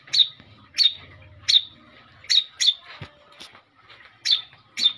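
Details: Long-tailed shrike lure song: sharp swept notes, mostly single and some paired, spaced about half a second apart, with a soft thud near the middle.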